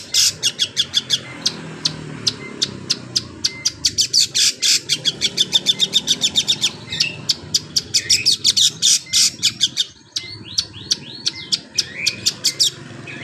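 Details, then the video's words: Long-tailed shrike song mimicking a canary: a long, lively stream of very high, rapid chips and trills, broken by brief pauses and occasional sweeping whistles, with quiet background rumble. "BURUNG CENDET SUARA KENARI"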